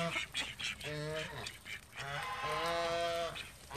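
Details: Call ducks from a home flock of thirteen giving drawn-out, nasal, tonal calls lasting up to a second, broken by short sharp notes, ending in a click.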